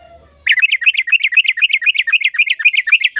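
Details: Sooty-headed bulbul in lively, long-rolling song meant to prompt silent birds to sing: a fast, steady chain of bright looping notes, about four per second, beginning after a brief quiet moment.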